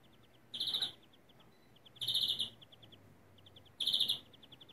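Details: European greenfinch singing in the Turkish 'kekeme yelve' (stuttering) style: three loud, buzzy trilled bursts about 1.5 seconds apart, linked by soft, rapid ticking notes, over a quiet background.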